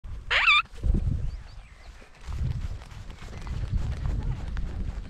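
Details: A free-flying pet Illiger's macaw, filmed in flight with a GoPro in North-Holland, Netherlands, gives one brief, harsh, grating screech that drops in pitch, followed by low wind rumble and soft background noise.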